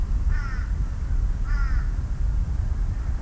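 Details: Australian Magpies calling in the background at New Farm Park by the Brisbane River, Brisbane, on a Monday morning in 1993: two short, harsh, slurred calls about a second apart behind a heavy low rumble of wind and handling noise.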